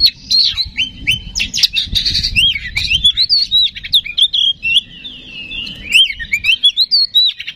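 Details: Oriental magpie-robin singing as a lure to rouse others: a dense, rapid medley of whistles, chattering trills and sharp clicks, with soft low rumbling behind.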